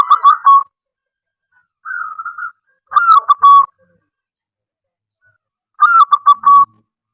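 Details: Local wild zebra dove, a strong caller used to lure other doves into calling, gives four short, soft staccato cooing phrases, each a quick run of stuttered notes ending in a held coo, spaced irregularly.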